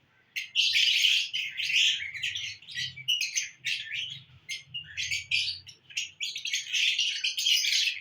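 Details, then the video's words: Cheerful lovebirds recorded June 1, 2022, producing rapid, piercing chirps and squeaky bursts in quick succession over a faint low rumbling background. "love birds in happy mood"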